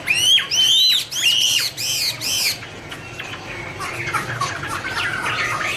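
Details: Chinese hwamei (Garrulax canorus) singing while dancing with wing display in a duet: loud clear whistled phrases of arched, rising-falling notes repeated about three times a second, then softer varied warbling notes.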